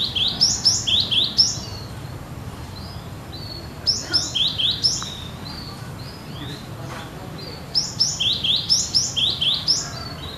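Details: Cinereous tit singing in gacor nagen style, sounding as in the wild: bursts of quick, high, ringing two-note phrases, each burst of about six repeats, separated by quieter gaps with softer notes.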